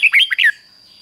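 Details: Brief, loud fragment of Red-whiskered Bulbul 'double' style song, fik-jik-fok, played for young birds: four quick sweeping whistled notes within half a second, rising and falling, then near silence.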